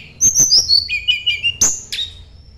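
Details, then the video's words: Sunda blue robin, singing to find a rival, delivers a brief phrase of high piping notes, then lower steady whistles and a sharp downward stroke. "kicau tledekan gunung mencari lawan"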